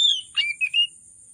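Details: Agitated kacer, the oriental magpie-robin, singing a lure for hard-to-start birds: a brief run of clear whistled notes, one falling slur, then a buzzy chip and two short rising whistles, ending in quiet with a thin high hiss.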